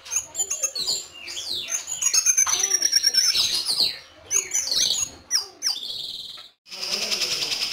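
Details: White-rumped shama, a competition bird from a breeder in Kebumen, singing a varied phrase of clear whistles, downward slides and quick chattering notes, with a long descending whistle near the middle and a buzzy rattle at the end.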